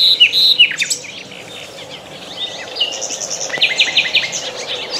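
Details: Riverside birds at dawn hours, several singing together: clear high whistled notes, quick down-slurred chirps and a rapid buzzy trill, overlapping in a busy chorus.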